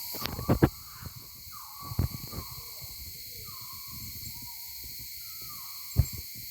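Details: Maleo on Sarva Island near Kampung Ugar, recorded on a mobile phone: several drawn-out, downward-sliding whistled notes at irregular intervals, with sharp knocks and clicks nearby and a steady high insect hiss behind.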